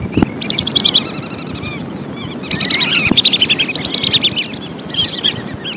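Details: Lesser whistling duck lure calls for trapping birds: bursts of rapid high whistles, a short pause, then a longer run of repeated whistled notes over low background noise.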